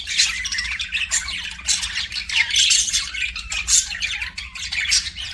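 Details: Continuous scratchy warbling and sharp chirps from pet budgerigars, the notes tumbling together in an unbroken, lively stream.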